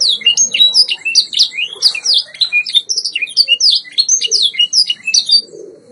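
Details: Canary song from a white Yorkshire canary, the long-bodied English breed, recorded for training: continuous energetic warbling of high slurred whistles and rapid chirps, steady throughout with faint low room noise beneath.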